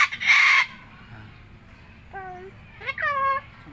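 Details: White cockatoo, described as good at talking: one harsh, broad screech lasting about half a second, a quiet pause, then short tonal, speech-like syllables with stacked harmonics, the last few rising and falling in pitch.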